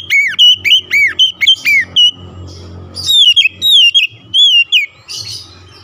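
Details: An oriental magpie-robin sings loud, provoking song aimed at a rival: arched whistled notes repeated about twice a second, a short gap, then higher slurred whistles, over a steady low background rumble.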